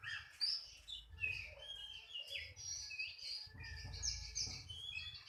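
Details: Oriental magpie-robin delivering quick, high whistled notes and sharp upward and downward slurs in short, lively phrases over a steady low rumble.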